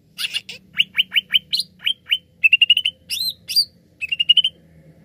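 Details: Greater green leafbird, Indonesian cucak ijo, giving a lively gacor lure song meant to get other birds singing: rapid bright chirps and downslurred whistles in quick bursts, some trilled runs of notes, with a faint low hum underneath.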